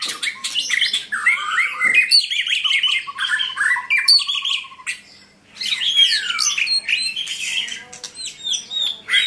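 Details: White-rumped shama song: varied whistled and warbled phrases, a long evenly spaced trill of low notes, a short pause, then a burst of rich, sweeping whistles and harsh notes.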